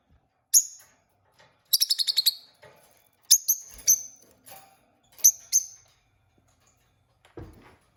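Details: Pet peach-faced lovebird pair with piercing high chirps: one single note, then a rapid stuttering run of about six notes, followed by spaced pairs of sharp squeaks and a faint low thump near the end.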